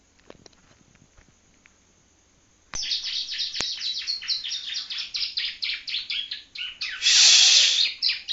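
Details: Young Yellow-bellied Prinia from Palembang learning to sing: after quiet faint ticks, a continuous rapid stream of high chirps builds up, ending in a loud rasping buzz.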